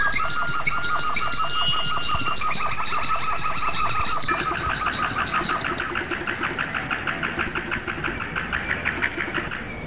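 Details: Domestic canary in Flauta (flute) style song, pouring out fast rolling trills of repeated pulsed notes, first higher whistles then a steady rattling tour that slowly fades, over a low rumbling background.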